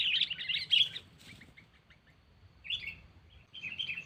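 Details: Sooty-headed bulbul calling a rival, a lure sound used without traps: a dense burst of bright chirps, a few soft clicks, then two shorter chirpy phrases.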